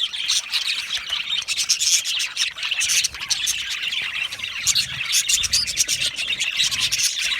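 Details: Many Australian budgies chatter together in an aviary, producing a thick wash of quick high chirps, clicks and short warbled notes that crowd each other continuously.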